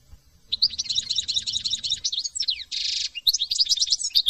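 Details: French European goldfinch delivering rapid tinkling twitters in a dense run, followed by a short harsh buzzy note, then more bright liquid chirps and trills.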